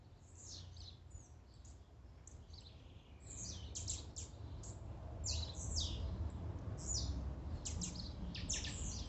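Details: Blue-black grassquit song used to excite a caged bird: rapid, irregular high buzzy downstrokes, about three per second, growing louder and denser toward the end, with a steady low hum beneath.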